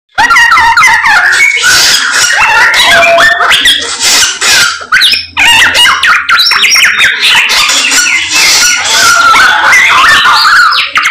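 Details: Samyong bird singing energetically and persistently: a dense, loud run of chattering notes, harsh squawks and quick whistled slurs that keeps going almost without a break.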